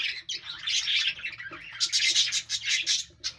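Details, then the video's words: Budgerigars kept as pet parrots, chirping: dense, busy twittering chatter in high warbled bursts, nearly continuous, with brief dips in loudness around half a second and three seconds in. "parrot natural sound | Beautiful Birds chirping sound"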